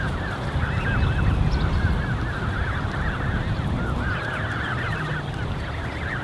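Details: Canada goose goslings, more than 30 together in a creche, recorded 13 June 2015: rapid high peeping, several calls each second from many birds at once, set against constant low wind noise.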